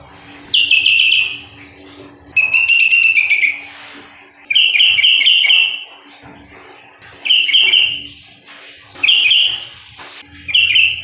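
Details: Sooty-headed bulbul keeping up steady song, six bright warbled phrases of quick slurred notes, each about a second long, spaced every one and a half to two seconds, over a faint electrical hum and occasional soft knocks.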